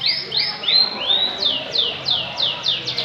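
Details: Canary delivering looping high whistled notes that shift into evenly spaced downward sweeps, about three per second, clear against a quiet background.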